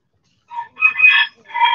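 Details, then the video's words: Backyard chickens sitting in the sun make a quick run of loud, harsh squawking notes, three bursts within under two seconds. "Backyard Chickens In The Sun"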